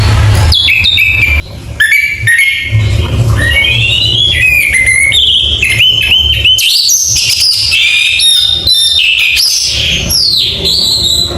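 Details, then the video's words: Orange-headed thrush singing loudly, a varied song of clear whistled phrases, slurred notes and sharp trills that jump between pitches, with short pauses and a low rumbling hum beneath. "ANIS MERAH GACOR"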